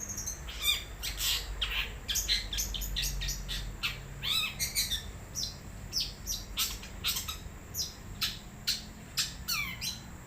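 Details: Wild long-tailed shrike singing: a dense, fast run of sharp chirps, squeaky notes and quick downslurred whistles, packed into rapid bursts with brief pauses, over a low background rumble.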